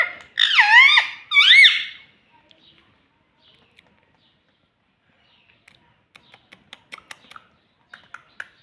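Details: Pet rose-ringed parakeet talking, mimicking the words mummy papa: two loud, harmonic, wavering speech-like phrases in the first two seconds, then faint scattered clicks and taps indoors.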